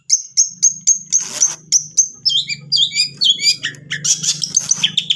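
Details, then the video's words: Long-tailed shrike song played as a lure for a reluctant bird. Sharp, high chirps repeat about four times a second, then become a busy, jumbled twittering over a faint low hum. "Pancingan cendet malas bunyi"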